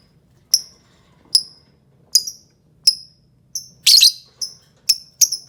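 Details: Fischer's lovebird of the green colour variety gives shrill, high, sharp chirps, about ten of them, spaced roughly every half to one second. A louder, noisier burst comes near the middle, and the background is quiet.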